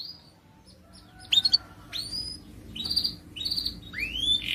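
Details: Canary song played to get other birds singing, quieter and sparse here, with scattered short chirps and rising-then-falling whistled swoops against a faint background hiss.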